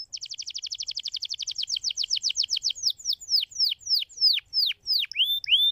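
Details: Canary song played to stimulate other canaries to sing: a fast trill of repeated downward-sweeping whistled notes that gradually slows into longer, separate descending and rising whistles.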